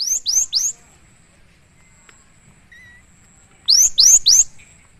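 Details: Gelatik batu (cinereous tit) in full song, used as training and lure audio. Two bursts of three sharp, high whistled notes each sweep up and then down, separated by a quiet gap with a faint low whistle.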